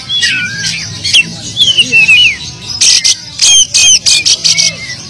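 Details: Oriental magpie-robin singing persistently, song stuffed with filler phrases, for luring silent magpie-robins to sing; opening whistled slurs and a run of short descending notes give way to harsh buzzy bursts and sharp chips, over low hum.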